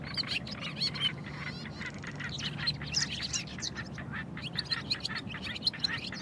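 Barn swallow twittering fast and without pause: a jumble of high chirps, squeaky whistles and short grating notes, over a low steady hum.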